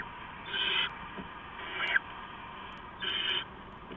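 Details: Adult owl delivers rats to owlets at night, 15 November 2015, around 4:30 AM; three short raspy hisses, spaced about a second apart, with a faint click between them over constant low static.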